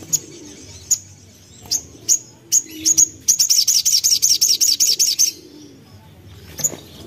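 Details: Young common iora singing as a bait call for other birds: spaced sharp high chips that speed up into a fast, even trill of about fourteen bright notes, then one last chip.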